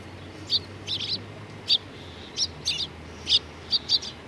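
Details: Eurasian tree sparrows gathering to feed at a Tenmangu shrine on 19 April 2019; clipped chirps, single or in quick pairs, sound roughly every half second over a faint low drone.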